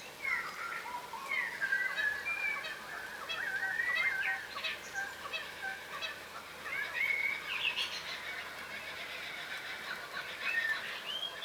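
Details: A flock of yellow rosellas, the crimson rosella subspecies, feeding on the ground keeps up continuous overlapping whistles and squeaky chattering notes, slurred and rapid, with short pauses between bursts.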